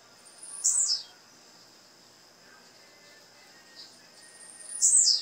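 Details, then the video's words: Female blue-black grassquit calling to encourage a male to sing: two high, thin notes sliding downward, about four seconds apart, over a faint steady hiss. "O Piado dessa fêmea vai enlouquecer seu tiziu"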